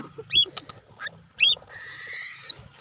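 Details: Cockatiel on its first free flight, giving two sharp, high, hooked chirps about a second apart, with clicks and rustling between them and a steady hiss afterwards.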